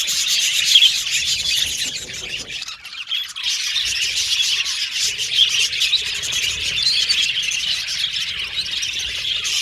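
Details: Australian budgies kept as pet birds, chirping in a dense group; quick high twitters run on throughout, with a slightly quieter dip near the middle before the busy chatter swells again.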